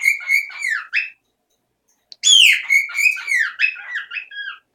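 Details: Pet male parrot indoors, kept over three years, loud since he suddenly began claiming the home as his territory one morning. He gives bursts of rapid, piercing whistled chirps, pauses for about a second, then resumes with a louder, denser run.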